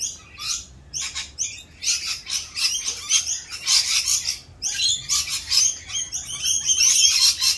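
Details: Rainbow lorikeets in mating season, more raucous than usual during their mating dance; dense overlapping harsh screeches and chatters high in pitch, nearly continuous with brief pauses.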